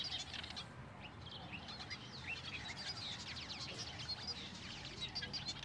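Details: Southern masked weavers in Benoni, Gauteng, South Africa, make a steady, busy chatter of buzzy, swizzling notes and short rising chips, several birds overlapping, over a low rumble.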